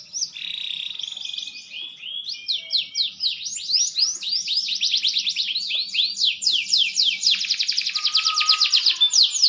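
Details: Green canary, said to sing better as it matures, delivering a long rapid series of repeated upward-sweeping whistled notes, about four per second, with trills and a brief low tone near the end.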